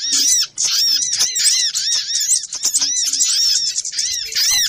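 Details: Little spiderhunter lure calls, noisy style: streams of shrill, bouncing squeaks repeated rapidly in dense bursts, broken by a brief pause near the start.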